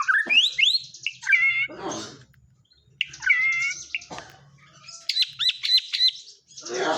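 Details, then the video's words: White-rumped shama singing in the local 'isian kapas tembak' filler style: bright rising whistles, rapid repeated chirps and buzzy rattles in bursts, a short pause, then sharp high repeated notes and a harsh final burst. "suara burung murai batu isian kapas tembak"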